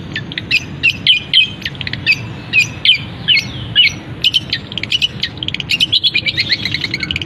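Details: Caged long-tailed shrike in imitative song with canary-like phrases: spaced sharp chirps and double notes, then a rapid run of fast ticking notes toward the end.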